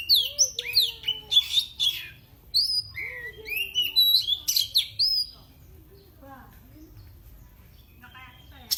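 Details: Oriental magpie-robin, a kept bird, singing to provoke rival birds: about five seconds of rapid, varied whistled phrases with sweeping slurs, sharp chips and buzzy notes, then fading to faint scattered chirps in a quiet room.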